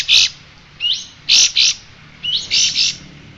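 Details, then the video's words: Singing striated grassbird, recorded as training material for caged songbirds: loud rasping bursts in pairs, each preceded by a short rising whistle and separated by short gaps, over a faint low hum. "Ocehan Burung Kapas Tembak"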